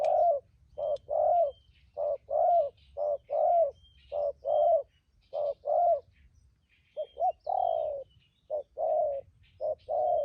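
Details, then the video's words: A newly caught wild spotted dove, said to sing well, delivers thúc gù cooing: deep rounded coos in steady runs of paired short and longer notes. A brief pause comes mid-phrase, and faint chirps sound behind. "cu gáy bổi thổ tốt tiếng , hàng thúc gù"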